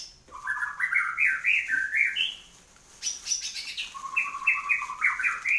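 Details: Caged white-rumped shama singing after its moult, a loud run of rich whistled notes climbing and dipping between low and high phrases, with a brief higher sweep near the middle and repeated stepped phrases toward the end.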